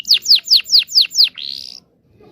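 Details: Canary singing to teach young birds: six loud, slow descending whistled notes followed by a short buzzy trill, then silence.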